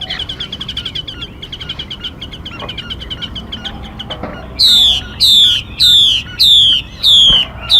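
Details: Female Mi, used as a decoy for trapping and to stir and train other birds: soft rapid chirps, then loud clear whistles sliding down, about five repeated roughly every half second.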